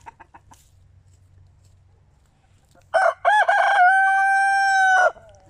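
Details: One of several young roosters, just found to be male, crowing before being rehomed: a few faint clucks, then a loud crow of two short choppy notes and a long harmonic-rich held note of about a second.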